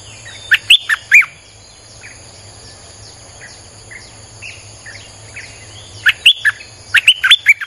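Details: Streak-eared bulbul singing, recorded for luring wild birds, with two loud bursts of sharp chirped notes at the start and end and a run of quieter, scattered whistles between them, under a constant high-pitched insect drone.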